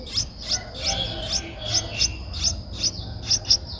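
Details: An 11-day-old Streak-eared Bulbul nestling, whose eyes opened at 7 days, in Ubon Ratchathani, Thailand, on 13 April 2023. It gives thin, high, scratchy begging notes, about two or three a second in short uneven bursts, over a low hum.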